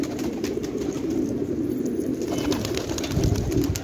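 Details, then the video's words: Flock of fighting pigeons at Khan Abad in village Afghanistan, giving continuous low, overlapping murmured coos that blend into a steady rolling drone, with faint clicks and rustles above. "کفتر های جنگی پرشی در خانه آباد"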